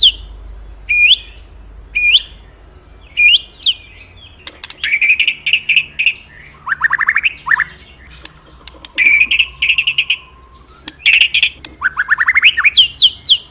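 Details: Magpie-robin singing loudly and continuously, as kept for training pet birds: clear whistled notes rising and falling between phrases, sharp upsweeping slurs, quick buzzy trills and repeated chattering bursts, with a faint steady hum underneath.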